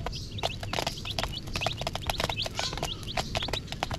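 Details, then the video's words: A crowd of colour-dyed baby chickens cheeps busily, with high, short, falling peeps tumbling over one another nonstop, mixed with sharp clicks and scratching sounds and a steady low hum. "Chicken Sounds"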